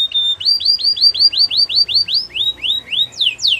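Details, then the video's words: Canary training song: a short steady tone, then a regular train of about thirteen arched whistled notes, ending in steep, loud downward sweeps. "Your canary will not stop singing with this training song"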